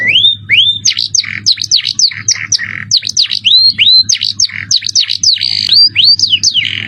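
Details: Canary master song, luxurious cengkok with piercing jerih tone, made of rising upslurred whistles alternating with steep down-swept notes in quick succession, bright and loud throughout, a faint low drone underneath.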